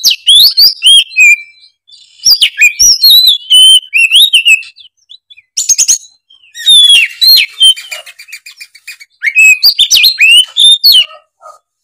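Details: Kacer, an oriental magpie-robin, singing hard through its repertoire of learned phrases: dense clusters of shrill whistles, chattering trills and sliding notes, delivered in bursts separated by short gaps.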